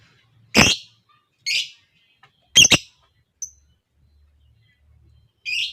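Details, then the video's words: Lovebird, from a lure recording meant to set other lovebirds singing a long ngekek: a few harsh, buzzy squawks spaced one to two seconds apart, with one short thin high note between them. "SEMUA LOVEBIRD NGEKEK PANJANG, dengar suara pancingan ini Lovebird lain ikut Gacor Ngekek panjang"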